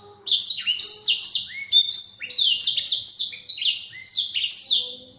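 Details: Training song of a black-throated canary for caged birds to learn, a rapid string of high whistled notes, each sliding downward, strung into a lively warbling phrase after a short silent start.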